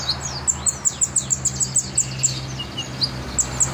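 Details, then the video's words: Kolibri ninja sunbird singing hard: a quick run of about ten sharp, very high ticking chirps, then a few scattered notes, over a steady low hum. "Kolibri Ninja Gacor Masteran Jos"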